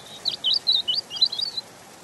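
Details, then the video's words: European robin singing a rapid warbling phrase of high looping, sliding notes, about eight quick elements in under two seconds, over faint background hiss. "Ласковое пение Зарянки(малиновки)"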